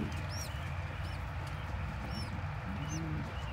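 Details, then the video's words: Tiny pigeon squab taking crop milk regurgitated by a parent, domestic birds; sharp high upslurred squeaks repeated about every three quarters of a second over low rumbling background. "Pigeon Feeding (MILK)To Tiny Baby!!!"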